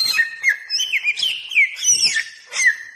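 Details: Bare-throated whistler, endemic to Nusa Tenggara, Indonesia, used as a lure and master song: rich whistled notes with quick rising and falling slurs and bright high accents, delivered in a steady, busy stream.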